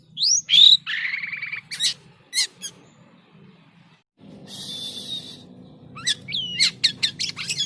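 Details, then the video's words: Jalak kapas starling in full unusual song: a high rising whistle, a buzzy chattering burst, scattered sharp clicks, a long pause, then a raspy burst and quick repeated chip notes over low background hum. "SUARA ANEH BURUNG JALAK KAPAS GACOR‼️"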